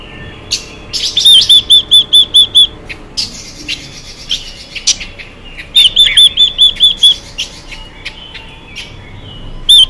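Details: Female Chinese hwamei calling to stimulate males: two runs of about seven clear, upslurred whistles with scattered clicks and rustling between them, and one more whistle at the very end.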